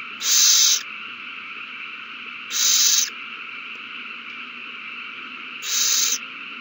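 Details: Owls at a nest erupt in a frenzy after one finds a mouse and passes it to its mate, recorded 3-21-20: three harsh, broadband screeching bursts about half a second long, spaced unevenly, over a steady electronic hum.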